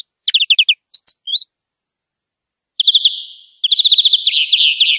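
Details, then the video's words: Greenfinch in nature sings short twittering trills, then after a pause a buzzy falling note leading into a rapid, rich run of chirps and trills. "Birds Singing - European Greenfinch"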